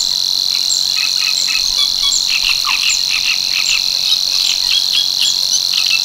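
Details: At Tancat de l'Illa in l'Albufera, a Savi's warbler's continuous high buzzing reel runs through the whole stretch, while another bird adds many quick chirping notes in the background.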